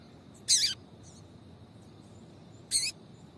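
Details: Female papa-capim seedeater giving her call, used by keepers to stir male birds into song; two loud, bright, high chips about two seconds apart, each slightly slurred downward, with a soft faint note between and a steady thin hum.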